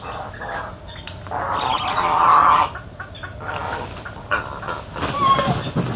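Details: Harsh squawking from a spoonbill in Everglades National Park: irregular grating bursts that swell and fade, a longer rasping squawk near the middle, and scattered clicks and rustling around it.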